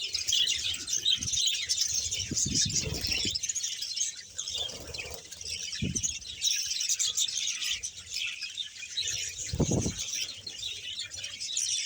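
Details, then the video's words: Colony of roughly 100 pairs of budgerigars kept in Bahawalpur, chattering nonstop: overlapping bright chirps and warbles from many birds, broken by a few soft thumps and flutters, possibly wingbeats, near the start and toward the end. "budges sound"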